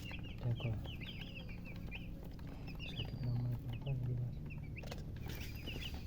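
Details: Just-born chicken chicks calling: clusters of quick, high peeps that come in bursts and pauses. A low hum and some faint murmuring sit in the background.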